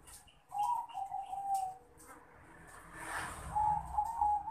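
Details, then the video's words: Male zebra dove of the Bangkok crossbred type calling a rival: two bursts of mellow, bubbling coos with a short rolling trill, separated by a brief rustling noise and a quiet gap. "Perkutut jantan Memanggil Lawan"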